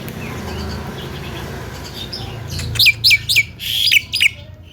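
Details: Caged Javan myna, said to cough, laugh and imitate a guitar, giving a quick burst of five or six sharp, high, downward-slurred chirps in the last two seconds after a quiet start, over a low indoor hum.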